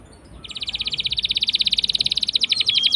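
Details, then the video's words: Canary singing a long rolling song used as a lure to prompt silent canaries to sing: after a short quiet start, an even, very fast high trill of clipped notes runs steadily to the end. "Pancingan Kenari Gacor Ngeroll panjang!! Buat Kenari Macet Bunyi pun Langsung Respon"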